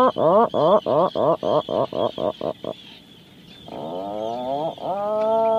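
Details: Atlantic puffin calling: a fast run of about a dozen short, harmonic, groaning pulses that slow and fade, then a pause and two long, drawn-out rising moans.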